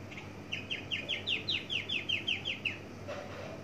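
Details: Javan bush lark, parva form, giving a varied song with mimicked phrases: a quick run of about twelve short downward-slurred chirps at an even pace, ending in a faint low note, with low background hum.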